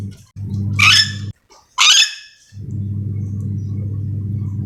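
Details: Sulawesi-endemic yellow-and-green lorikeet calling: two loud harsh screeches about one second apart, followed by a steady low hum.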